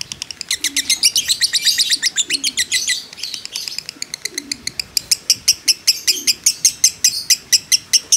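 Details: Fighter lovebird giving a long 'ngekek' chattering song: a dense, shrill stream of rapid high notes that breaks into sharp, evenly spaced chirps, roughly two to three per second, in the second half. Faint low cooing notes sound underneath.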